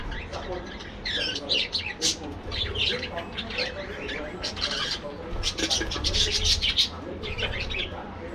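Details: Colony-living budgerigars in an aviary chatter busily, with rapid chirps, squawky notes and rippling warbles from many birds, the loudest flurries around two and between six and seven seconds.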